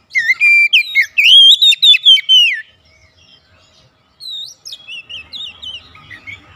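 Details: Oriental magpie-robin kept at home, singing actively during daily therapy: a loud run of varied, rich whistled phrases sliding and warbling, pausing about a second, then resuming with softer, rapid twittering notes; faint low rumble underneath.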